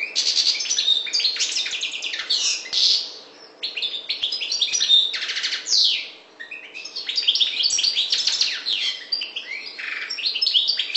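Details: European goldfinch, parva subspecies of the Maghreb, in a long energetic song of rapid tinkling chirps, sweeping slurs and buzzy trills, pausing briefly twice.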